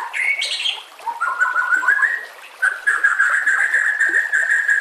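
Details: Training-master song of a white-rumped shama with a background of trickling water: a few quick high notes, then long, level, sustained whistles held steady over a constant watery hiss.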